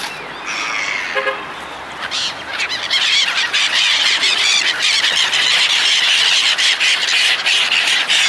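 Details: Seagulls crowding while people feed them, a dense chorus of high squealing cries that swells after the first few seconds and stays continuous, with overlapping calls throughout.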